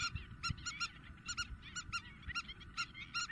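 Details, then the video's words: Greek spur-winged lapwing in April calling intensely: loud, sharp, nasal double and single notes in quick bursts, other birds overlapping, with low rumble below. "Αγκαθοκαλημάνα - Spur winged Lapwing intense call !"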